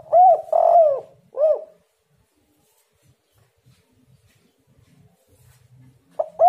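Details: Spotted dove lure call meant to make rival doves answer: a phrase of three low, hollow coos, the middle note longer and throatier, followed by about four seconds of near silence before the phrase starts again. A faint low rumble sits underneath.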